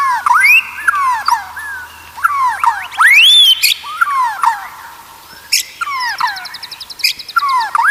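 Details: White-rumped shama song meant to train other shamas to sing steadily: rich swooping whistles that dip and rise, mixed with rattling high trills and sharp accents in uneven phrases.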